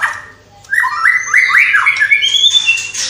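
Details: Singing white-rumped shama whose song borrows calls of house sparrow, fighting lovebird, kapas tembak and cililin. Mid-pitched whistled notes step upward in a quick rising series, ending in a thin, high buzzy note.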